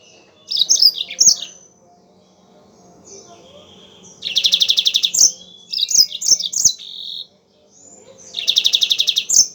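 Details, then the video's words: Lively singing from a Yellow-fronted canary, meant as a lure recording for other birds: a tumbling twitter, a pause, then two bursts of fast pulsed trill separated by quick chirping notes, all high-pitched and loud. "MASTERAN BURUNG MOZAMBIK GACOR"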